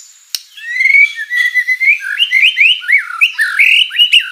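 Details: Vigorous white-rumped shama song rich in filler phrases, used as a lure to make other shamas answer: one sharp click, then a long clear whistle followed by a quickening string of varied slurred, looping whistles.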